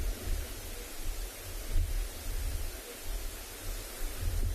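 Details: Rumbling low wind buffeting and soft hiss at sunset outdoors, with uneven gusts and no clear animal calls.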